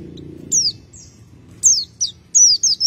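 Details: White-eye (Zosterops), locally called pleci, in continuous "ngacir" singing: very high, thin notes sliding sharply downward, given singly and in short pairs with brief gaps, against a faint low hum.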